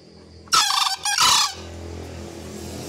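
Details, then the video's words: Green junglefowl giving a loud call, a raspy two-part burst with a brief break between a strident opening and a longer, coarse second phrase, followed by a steady low background hum. "Suara keras Ayam Hutan Hijau"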